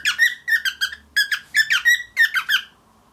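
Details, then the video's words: Seven-month-old grey cockatiel chattering indoors during its first attempts at talking; clustered squeaky, nasal chirps in quick bursts of two to four, roughly three per second, ending in a brief quiet. "Darwin The Cockatiel Learning To Speak English"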